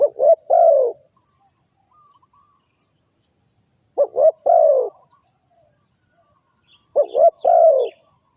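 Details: Spotted dove calling repeatedly for trapping birds: three identical phrases about three seconds apart, each two quick clipped coos and a longer hoarse falling coo, with soft distant twitters between.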